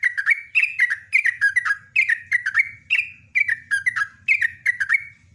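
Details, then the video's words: Yellow-vented bulbul in full gacor song, a long ropelan-style run meant to set other bulbuls answering: bubbling, slurred whistled phrases near mid pitch, each a quick cluster of three or four notes, repeated in a steady stream with faint low hum. "LIVE BURUNG TRUCUKAN PALING GACOR"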